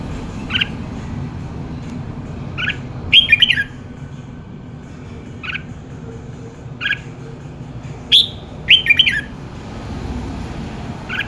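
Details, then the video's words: Red-whiskered bulbul singing: short bright whistled phrases with quick descending notes, given in scattered bursts every one to three seconds over a steady low background hum. "tiếng chào mào hót"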